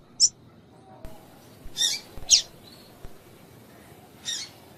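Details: A female double-collared seedeater's call, played to set males singing: a lone sharp high chip, a gap, then two close scratchy chips and a final one near the end, with faint clicks between.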